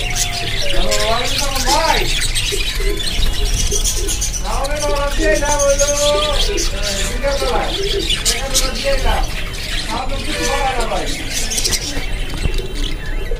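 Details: Caged budgerigars chatter in fast, warbling runs of squeaky, rising and falling notes with sharp high chirps, over a steady low hum and faint music.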